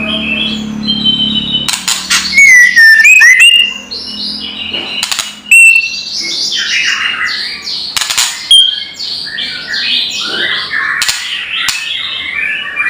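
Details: A white-rumped shama's loud kretekan, a provoking lure for rival birds: a faint low hum at first, then harsh crackles and sharp clicks with looping whistles, followed by a busy run of varied chirps and clicks.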